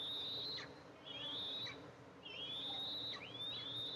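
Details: Eastern imperial eagles at their nest, mother arriving to feed two eaglets, July 14, 2024; piercing high whistled notes, some upswept at the start and sliding down at the end, given in quick succession.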